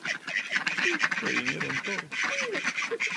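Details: Hungry ducks fighting during heavy snow, giving harsh overlapping quacks and nasal squawks in quick bursts over a steady hissing background.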